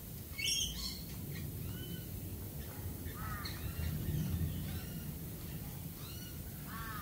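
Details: Australian galah with one loud harsh screech early on, followed by fainter stacked, sliding squawks from several birds over steady low rumble.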